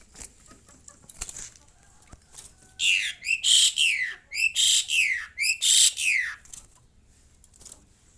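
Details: Hungry Asian pied starling screaming because its cricket feed is late: a rapid run of about seven loud, harsh, rasping screeches in under four seconds, after quieter rustling and faint flutters.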